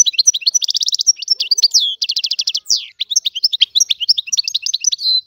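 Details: European goldfinch, Algerian type, singing steadily: mixed high twitters, fast rattling trills and downward-slurred notes woven into a lively, continuous phrase.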